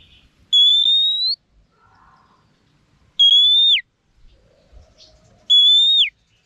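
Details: Female Oriental magpie-robin used to train males, giving three long clear level whistles spaced about two and a half seconds apart, the later two ending with a sharp downward drop.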